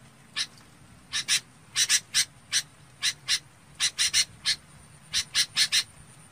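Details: Red-whiskered bulbul calling to its flock: short harsh, scratchy notes, mostly in quick pairs, repeated irregularly over a faint hissy background.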